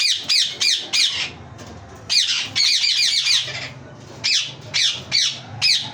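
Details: Yellow ringneck parakeet giving a run of short, sharp, harsh squawks about every third of a second, then a longer grating burst and more quick squawks, over a faint low hum.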